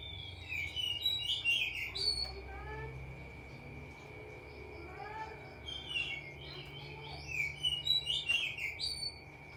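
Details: Canary song used as a therapy sound for training canaries: bursts of fast, high, twittering trills with pauses between them, over a steady electronic hum.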